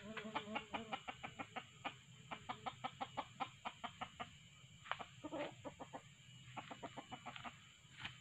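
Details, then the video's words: Wild red junglefowl clucking, used for trapping with a male decoy plus hen calls: rapid bursts of sharp, dry clucks, several per second, with short pauses between runs, over a faint steady hiss. "Mikat ayam pakek pikat jantan+suara btina"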